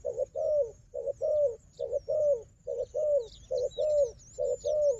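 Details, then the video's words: A wild dove, strong at fighting, answers a strong decoy with steady low coo pairs, a short note then a longer falling note, about once per second. Thin high bird twitters run above. "លលកព្រៃនេះខ្លាំងខាងជល់ ធ្នាក់ក៏ខ្លាំង"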